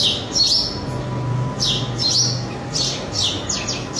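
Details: A male house sparrow (Passer domesticus) gives loud, harsh chirps, about six in four seconds, some doubled, over a faint low hum.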